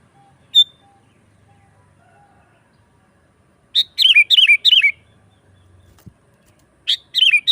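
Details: Sooty-headed bulbul singing vigorously, used as a lure for wild bulbuls and as a tutor recording. A single sharp note, then a short run of four or five liquid, falling phrases, with another phrase starting at the end.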